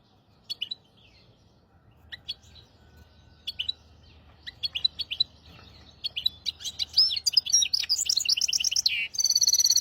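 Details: Hybrid finch song used to teach goldfinches and canaries: sparse, faint high chirps at first, building into a louder, fast, varied twittering with trills near the end.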